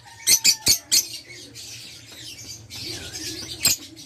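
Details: Fischer's lovebird, violet parblue colour, kept in a cage, gives four piercing chirps in quick succession, then busy high twittering, and a final sharp shriek, with a low steady hum beneath.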